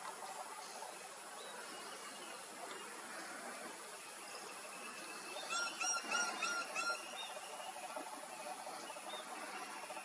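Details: Rufous woodpecker, a short-billed, medium-sized woodpecker native to South and Southeast Asia, gives a brief run of about five nasal, evenly spaced notes midway through, over a steady hissing background.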